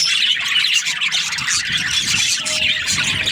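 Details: Budgies in breeding season, a busy burst of overlapping chirps and squeaky warbles from several birds, steady and high-pitched across the whole stretch.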